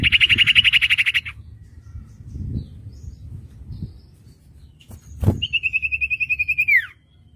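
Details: Common iora master song for untrained birds: a fast buzzing trill of evenly spaced pulses, a gap with a knock, then a second long trill ending in a falling slur.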